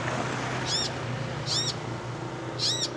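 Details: Bird call from a training compilation for contest shrikes: three high arched notes, each repeated about once a second, over a constant background hiss.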